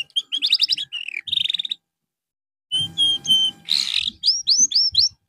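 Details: A canary in therapy after going off form sings a fast buzzy trill and a level whistled note, falls silent about a second, then gives steady whistles, a harsh burst and quick upswept notes.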